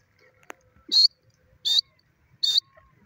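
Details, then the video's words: A grey francolin gives three sharp, high, grating notes spaced about three-quarters of a second apart, with a faint click and quiet rustling between them. "gorgeous grey francolin with his natural awaz"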